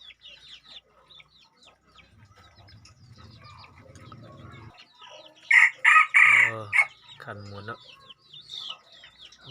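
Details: Crossbred red junglefowl kept as a decoy bird gives one loud, harsh four-part crow midway through, preceded by several seconds of quiet chirping from small birds and a low hum, followed by lower rough sounds.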